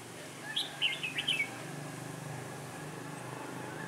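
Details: Red-whiskered bulbul kept as a trapping decoy, 16 December 2017, a cold and windy day: one quick, warbling phrase of sharp whistled notes, followed by steady low background hum.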